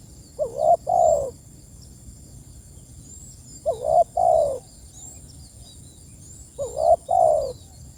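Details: A spotted dove repeats its call to companions: three low coo phrases about three seconds apart, each a short wavering note followed by a longer, fuller coo that falls at the end.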